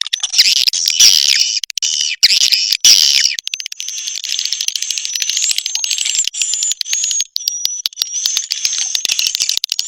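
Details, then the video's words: Swiftlets on a sound track for Indonesian swiftlet farmers. Dense, shrill twittering and clicks at the start, then a thin, wavering high whistle over rapid ticking chatter. "sp kompak burung walet"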